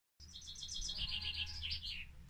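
A Common Chaffinch sings a quick run of bright notes tumbling down the scale, finished with a short raspy flourish. A low hum sits underneath.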